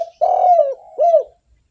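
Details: Spotted dove singing actively to draw other doves: a long wavering rolling coo sliding down, then a shorter arched coo, clear and close.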